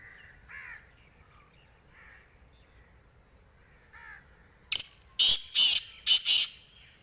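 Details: Black francolin giving a loud rasping call of about five hoarse, clipped notes delivered in a quick, uneven rhythm. Softer crow-like caws from another bird come beforehand.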